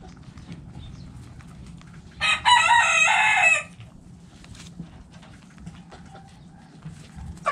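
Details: Rooster among backyard chickens eating in the coop gives one loud, harsh, drawn-out crow lasting about one and a half seconds, set between quiet scattered clucks and clicks over a constant low hum.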